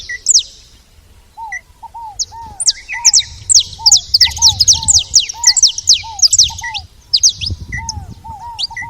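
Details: Saffron finches noisy at a feeder: dense, rapid high-pitched chirping in clustered runs, with soft lower downslurred notes repeating beneath and faint low rumbling in the background.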